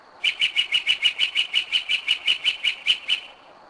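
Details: Night-singing Northern mockingbird at 2am in Kennesaw, Georgia, a bird back for several years; a long even series of about seventeen quick chipping notes, around five per second, in a quiet setting.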